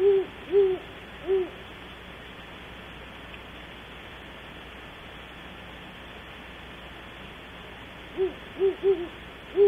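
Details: Great horned owls at Audubon Starr Ranch, California, around 3 am: a few low hoots open the stretch, long quiet hiss follows, then another quick cluster of three or four hoots closes it.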